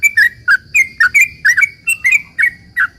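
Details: Chattering sooty-headed bulbul, long 'ropel' song intended to prompt other bulbuls to reply: about a dozen bright, slurred chirps, some paired, delivered roughly four per second over a thin steady background tone.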